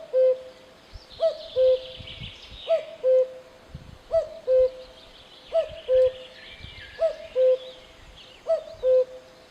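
A cuckoo gives its falling two-note 'cuck-oo' about every one and a half seconds, seven times, with other birds chattering softly behind.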